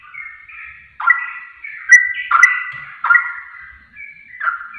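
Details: Sooty-headed bulbul singing, recorded as a lure to make others answer: clear fluty whistles with abrupt drops and short level notes, phrases returning about once a second, no other sounds.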